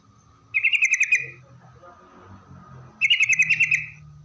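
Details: Yellow-vented bulbul song used to lure other bulbuls into replying: two identical quick trains of about eight pulsed buzzy notes, each lasting under a second, spaced roughly two and a half seconds apart.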